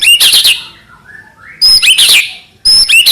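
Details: White-rumped shama delivering trotol-style song as high, thin chattering bursts of very rapid notes, separated by a quiet pause of about a second.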